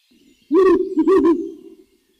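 An owl gives a low, wavering hoot lasting over a second, broken into three quick swells, with a faint murmur before it and nothing else around.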